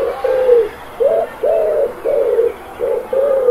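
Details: Doves cooing in a park give soft, low, hollow notes, six short coos in under four seconds, each swelling slightly then fading, over a faint steady background hum.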